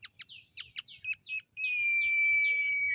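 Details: Common iora in the morning, giving a quick run of sharp down-slurred whistles, then a long, level high whistle held to the end.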